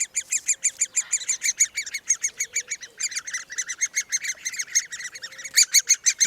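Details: Great Spotted Woodpecker chicks in a nest cavity under a bracket fungus beg loudly with a shrill, ringing chatter of about three notes a second as the female brings food, over a faint low hum.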